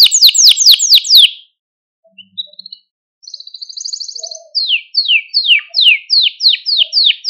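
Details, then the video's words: Malta canary song used to stimulate other canaries: fast descending trill notes, a pause with a few soft notes, a high rolling warble, then slower repeated downward-sweeping notes about twice a second. "Süper Bir Malta Kanarya Sesi Ve Ötüşü | Kanarya Huylandırma ve Kızıştırma"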